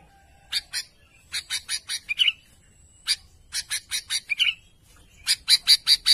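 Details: Sooty-headed bulbul calling to its companions, giving several bursts of sharp, rapid chirps in short series, with brief pauses between groups and a thin high whistle in the background.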